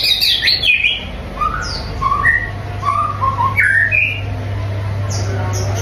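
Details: White-rumped shama song of separate clear whistled phrases, some rising and some falling, spaced about half a second apart, with a steady low hum underneath.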